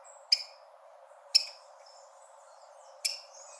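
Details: Rufous-collared sparrow (Zonotrichia capensis) call used to stimulate birds at the start of the breeding season: three sharp, high chips spaced unevenly one to two seconds apart over a steady low background hiss.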